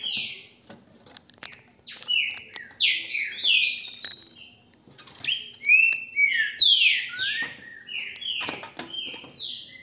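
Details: Phone recording of a caged green-winged saltator from a Brazilian breeder: after a quiet start, a long sequence of loud whistled phrases, many gliding down in pitch, with soft clicks and knocks in the background.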